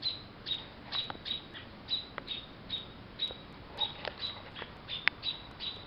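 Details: Robins defending a baby bird beside their wind-shattered nest from an investigating cat, Ontario, June 21, 2012: a steady series of short, piercing high notes, about two per second, over soft background noise.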